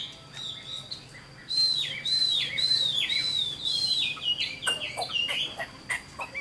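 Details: Chinese hwamei, an old wild-caught bird with a good voice, singing loud whistled phrases that slur and dip between high notes, starting after a quiet opening and ending in sharper chipping notes.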